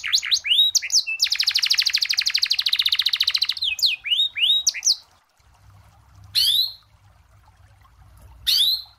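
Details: Canary song for training young birds, with long rolls and unique variations: a few rising whistles, a long buzzy roll, more sweeps, then quiet broken by two short chirps.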